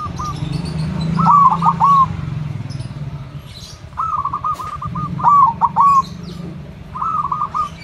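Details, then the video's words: Zebra dove (perkutut), a loud local silver type, calling in the morning; rolling, stuttered cooing phrases in short bursts at intervals of one to three seconds, over a steady low rumble. "Perkutut suara besar PULEN"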